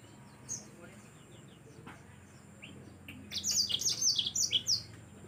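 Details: Yellow-fronted canary in vigorous song, meant as a tutor recording for training other birds: after quiet hiss, a late burst of quick, high, sweeping chirps and twittered notes tumbling downward, over steady background noise.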